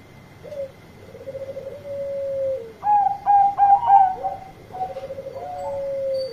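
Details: Bangkok zebra dove calling companions with loud song: a low rolling trill leads into a cluster of bright, strongly pulsed higher coos, then more low purring trills, with a constant faint high whine behind.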